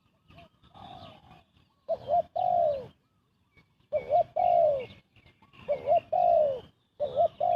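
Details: Fast cooing of a spotted dove used to lure birds into a trap: quiet softer notes give way to loud phrases of a quick rising note and a drawn-out falling coo, in three bursts.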